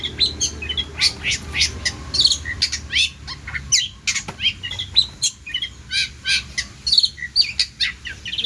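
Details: Actively singing long-tailed shrike with richly filled song meant for tutoring other birds; a fast stream of high chirps, short squawks and twittering trills in pulsed bursts about twice a second, clean background.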